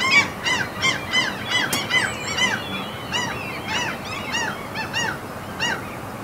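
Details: Seagulls on a Norwegian mountain fjord giving clear, separate, arched, nasal cries in loose bursts, a few per second, with a sharp click near two seconds.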